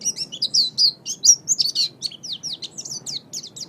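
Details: A pet oriental white-eye sings for a songbird-training master recording. Rapid, high, sweet twittering of short whistled notes and falling slurs pours out without pause over a quiet hum.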